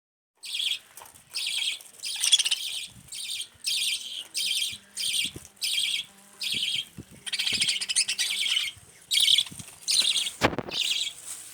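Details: Budgerigar chattering in rapid bursts of high, scratchy chirps with brief pauses between them; a pet budgie whose favourite food is white rice.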